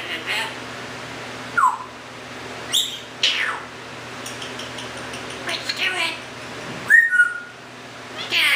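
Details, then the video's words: Male Timneh African grey living indoors after rescue, giving scattered sharp chirps and downward-sweeping squeaks, then a bright whistled note that dips slightly, over soft household noise. "See Our Parrot Talk And Wave!"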